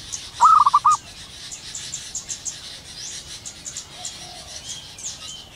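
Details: A zebra dove in the wild, recorded in the morning, gives one short burst of about five quick, bubbling coos right at the start. Quiet follows, with distant bird chirps and high insect buzzing.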